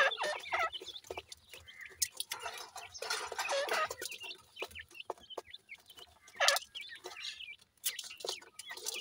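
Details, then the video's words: Grey francolin chicks at play keep up a chatter of sharp peeps and downward-sliding chirps, broken by bursts of scratchy rustling and an occasional louder squeak. "goray teetar kay goray bachay in the playing,chicks voice"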